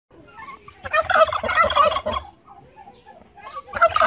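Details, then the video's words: A turkey gobbling while attacking humans gives two bursts, a long rapid rattling gobble and then a shorter one, with quieter clucking notes between. "Turkey Bird Video"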